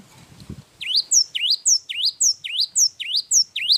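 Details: A Java sparrow's energetic long song starts after a brief low noise: evenly spaced, sharp rising chirps, roughly three a second, each ending in a thin high tail.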